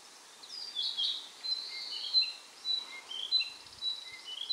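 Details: Song of a narcissus flycatcher on a power line in dim mountain woodland on Mount Maya, Japan, 4 June 2017: a run of varied whistled phrases, roughly one per second, mixing pure high notes with lower slurred whistles.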